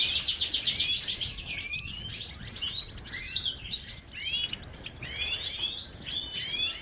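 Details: Singing goldfinch opening with a rapid buzzy trill, then tumbling into varied high chirps and quick slurred whistles, lively and unbroken, with low background noise.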